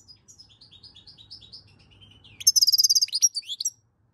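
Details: European goldfinch song recorded in May 2022: a string of soft, evenly spaced high notes, then a loud, rapid tinkling trill of about a dozen notes ending in twitters.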